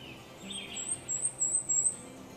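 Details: Cape May Warbler, a migrant passing through the Carolina Crescent and heard up in the treetops, sings a quick run of four or five very high, thin, hissing notes over a soft, low background murmur.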